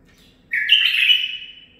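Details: Captive-bred male bulbul aged nine months delivers one zilzal-style phrase: a sudden bright onset stepping upward, then a sustained, rich whistle that gradually fades and drops in pitch over about a second.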